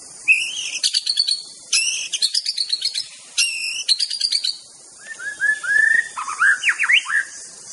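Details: White-rumped shama master song meant to provoke rivals: bursts of rapid, stacked high chattering notes, then a run of clear rising whistles and sharp upswept notes near the end.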